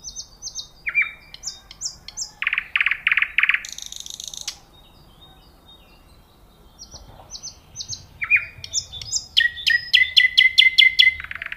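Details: Nightingale song with paired high whistles, dense buzzy rattling bursts, a pause, then loud rapid repeated notes forming an accelerating staccato trill, with very little background noise.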